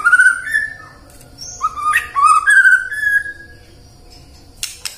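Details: White-rumped shama lure song for morning, midday and afternoon singing: bright rising whistles and slurred phrases in the first half, fading to quiet with a couple of faint clicks near the end.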